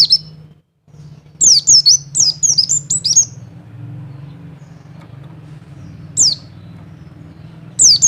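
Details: Mountain white-eye double call, used to raise a male's mating urge: a rapid run of high, sharply descending chirps, then isolated single chirps, over a steady low hum.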